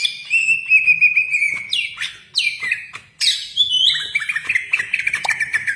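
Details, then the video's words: Greater green leafbird (cucak ijo) singing steadily in a style likened to the magpie robin: a long level whistle, then sweeping downward buzzy slurs, followed by quick choppy chirps and twittering notes, as a master recording for training. "Burung Cucak Ijo Gacor Suara rapet - cucak hijau Gacor rasa kacer"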